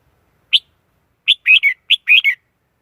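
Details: Red-whiskered bulbul lure recording for trapping wild bulbuls, no background noise: a single sharp chirp, then two quick phrases of a high note followed by a rolling, falling warble.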